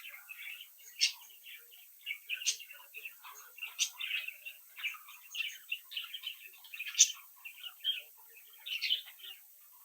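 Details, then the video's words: Captive budgerigar chicks from a home brood, interacting and playing; continuous dense warbling chatter of short chirps and squeaky notes, with several sharper high chirps standing out at intervals, indoors. "Sonidos de Mi Cría de Periquitos Australianos que estimula a tu Periquito Solitario"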